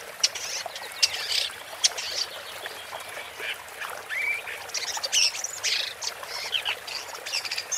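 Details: Woodchat shrike song: sharp ticks and scratchy bursts, a brief rising whistle midway, then denser chattering phrases toward the end, with steady faint hiss behind.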